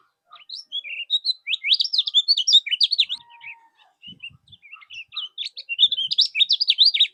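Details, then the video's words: Moulting yellow-bellied warbler (kecial kuning), recorded as tutor song for training contest birds. Two long bouts of rapid high-pitched, zigzagging whistled notes are split by a softer, patchier stretch of chirps. "Masteran berbagai macam burung , bisa gunakan kecial kuning mol ini"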